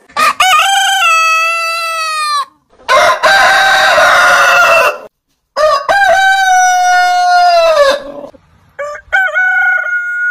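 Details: Heritage-breed roosters crowing in turn, each crow a loud harmonic call with short stuttering notes then a long level held note, about four crows across ten seconds with brief silent gaps between them.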